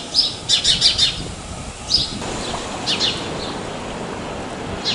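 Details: House sparrow filmed at Praia de Pipa, Tibau do Sul, Rio Grande do Norte, Brazil: a quick burst of bright, high chirps early on, then scattered single chirps over a steady low background rumble.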